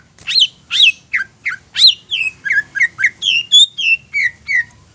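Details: Caged greater green leafbird song played to provoke rival birds: a steady run of about fifteen loud, varied whistles and squeaky slurs, roughly three per second, without pause.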